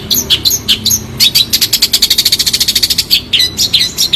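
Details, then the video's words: Long-tailed shrike, clear tone, in a tutor recording: scattered sharp notes lead into a fast rattling trill of even high clicks, ending in jumbled squeaky chirps. "Burung Cendet Suara Jernih"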